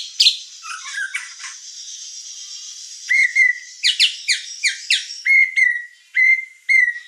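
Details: A White-rumped shama sings as a tutor and provoking song for captive shamas: first a quick run of chattering, sweeping notes, then a series of loud, clear whistles, each about half a second long, over a faint hiss.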